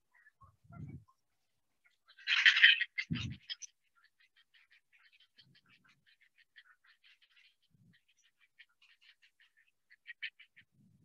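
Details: Great blue heron chicks calling, City of Davis Wetlands, 1 May 2021: a long run of rapid, ticking chatter, with a harsh burst near the start and low thumps mixed in.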